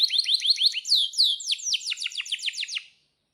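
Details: Domestic canary singing as a lure for other canaries: quick rising chirps, two long swooping whistles, then a steady run of sharp descending notes before it falls silent.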